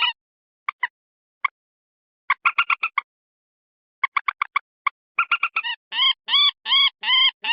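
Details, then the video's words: Common moorhen calls, edited as a lure to draw wild birds closer in marshes, rice fields or waters: scattered short nasal clucks, then quick bursts of several notes, ending with evenly spaced longer honking notes about twice a second, clean background. "Suara pikat burung Mandar_Pelan_Common Morhen_Gallinula Chloropus"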